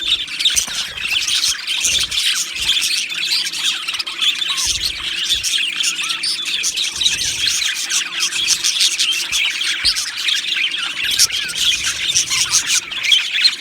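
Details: Australian budgerigar colony in an aviary, a steady chorus of many birds chattering in rapid high twitters and short squeaks throughout, with faint low hum beneath.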